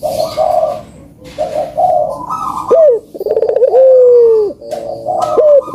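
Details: Puter doves cooing, a recording for coaxing quiet birds to sing: short rounded coos, then a loud downward-swooping note and a long sustained coo.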